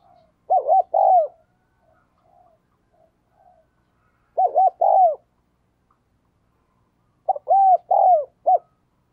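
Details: Decoy spotted dove calling to attract wild birds. Three separate bursts of quick stuttering coos ending in a falling drawn note, with long quiet gaps between bursts and faint soft coos in between.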